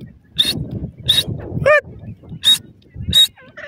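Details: Female partridge (teetar) with her young, said to be teaching them to call; short, harsh, whistled bursts repeated every 0.7 seconds, with a softer descending note between them and low rumbling background noise.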